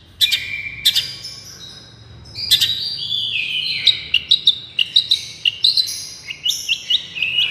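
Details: Long-tailed shrike song, for use as a lure: scattered sharp chirps give way to a quickening string of short, bright, whistled notes repeated about twice a second, varied in pitch, over a quiet low hum.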